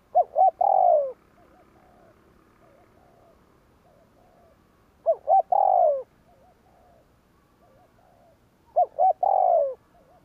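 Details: 'Gù kích' cooing of a spotted dove, used to stir up wild doves: two quick hooked notes followed by a drawn-out falling coo, repeated three times at roughly four-second intervals over quiet background with faint low coos.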